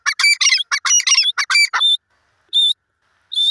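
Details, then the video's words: Grey francolin calling in a loud, harsh, rapid burst of squawking notes with ringing tones, then three separate sharp, high, clipped notes at intervals after a brief pause. "dakhni teter bird ki awaz"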